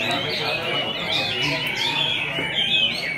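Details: Chinese hwamei, freshly moulted and singing all day, pouring out a continuous stream of varied, sliding whistled phrases, with people talking in the background.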